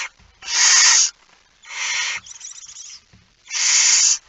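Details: Three drawn-out, noisy screechy hisses from a barn owl holding a mouse, night of 17 September 2019 at 01:49, separated by pauses of about half a second, the middle one softer.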